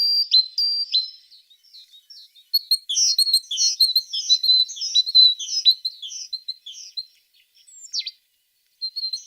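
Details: High tit song of a few clear notes followed by a jumbled burst of rapid twittering and slurred whistles, then a single downward squeak and a short final phrase.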